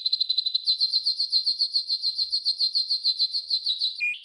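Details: Yellow golden canary singing a training song: a fast, even, rapidly pulsed trill of bright high notes repeated about every fifth of a second for four seconds, ending with a lower short note.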